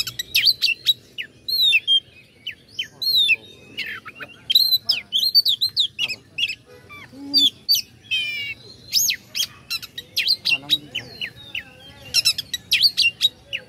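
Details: Oriental magpie-robin singing to stir up rival birds: dense, varied phrases of piercing whistles, upward sweeps and buzzy trills, repeated in rapid bursts across the recording.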